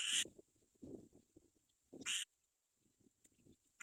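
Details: Black-winged kite young waiting for their mother to find food; two short harsh, wheezy screeches about two seconds apart, with soft low rustling and shuffling noises between them.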